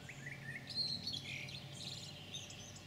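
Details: European pied flycatcher (Ficedula hypoleuca) singing, 9 June 2019: a brief sequence of sweet high chirps and a rapid trill, over a faint low background hum.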